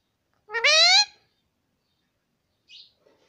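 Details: Pet talking parrot in a quiet indoor setting gives a single loud, rich, voice-like syllable that rises gradually in pitch for about half a second, followed later by a brief soft high chirp and a faint click.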